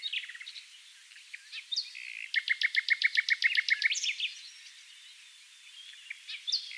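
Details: Common Nightingale (Luscinia megarhynchos) singing in a dune valley near Oostkapelle, the Netherlands: a burst of rapid, evenly repeated piping notes, about a dozen in under two seconds, framed by varied chirps and whistles.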